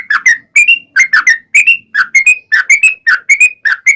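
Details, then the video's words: Trucukan song used as a lure to make other trucukan sing back: long rapid chattering series of short bubbly whistled notes dipping and rising around a mid pitch, delivered in quick pairs with brief gaps. "KICAU SUARA trucukan gacor ropel panjang pancingan trucukan agar bunyi MENJADIKAN trucuk gacor NYAUT"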